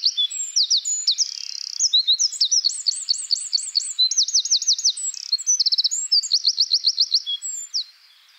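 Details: Eurasian wren (Troglodytes troglodytes) singing a loud, fast, high-pitched song of about eight seconds: rapid trills and rattling runs of repeated notes mixed with sharp, bright whistles, delivered without pause before stopping abruptly; no other sounds.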